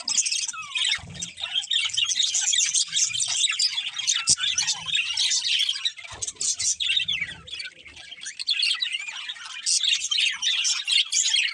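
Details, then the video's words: Budgerigar breeding pair chirping nonstop, a busy stream of high, fast twitters and scratchy warbles, broken by a few sharp clicks and soft low thumps in the background. "Cute Budgies Chirping Sounds | Love Birds Breeding Pair"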